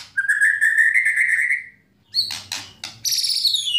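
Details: White-rumped shama singing kretekan and tembakan, used to rouse other shamas into song. A long, slowly rising clear whistle is followed by sharp high clicks and a bright descending buzzy flourish.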